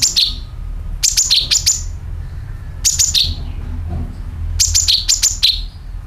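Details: Calls of a sooty-headed bulbul, meant to draw in other birds: short bursts of three or four sharp descending chirps, repeated about every two seconds, with a quiet low hum throughout.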